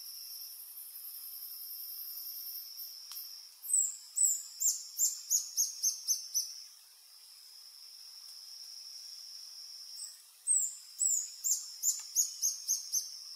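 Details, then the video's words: Adult male Reddish Hermit, Phaethornis ruber ruber, singing at a lek in French Guiana on an afternoon in March 2024; two bursts of rapid, very high, squeaky notes, each an accelerating series of about eight, over a constant high insect drone. "Reddish Hermit (Phaethornis ruber ruber) male singing on a lek"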